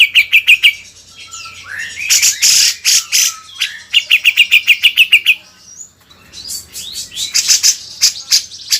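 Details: Grey-cheeked bulbul tutor song for training songbirds: rapid trills of repeated clipped notes alternate with harsh buzzy bursts and twisting whistled slurs, and there are short pauses between runs.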